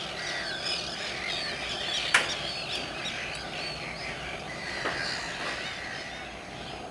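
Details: Many common terns calling at RSPB Saltholme, recorded 17 July 2012; a dense chorus of grating, downslurred cries overlaps continuously, with a sharp click near two seconds and another near five.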